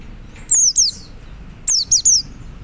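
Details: Loud, thin descending whistles from a male Oriental white-eye calling to others, a quick pair followed by a rapid run of three notes, all high-pitched and falling.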